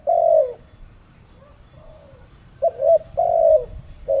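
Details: Malaysian spotted dove calling: a drawn-out low coo, a quiet pause with faint murmurs, then a quick double coo and a longer falling one.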